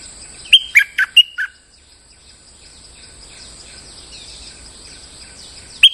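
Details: Lure song of a molting bulbul: one rapid five-note whistled phrase, ringing and clipped, then a quiet stretch with faint distant chirping before a single sharp note.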